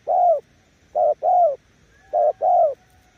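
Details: Loud, close cooing of a spotted dove used as a decoy, Kon Tum. A long low coo followed by two short-long pairs, the notes mellow and slightly falling, with a faint background whistle.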